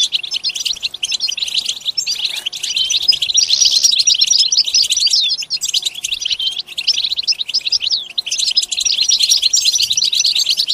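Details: Extended European goldfinch song, a restless chatter of high chirps, buzzy phrases and quick trills, pausing briefly now and then before rushing on.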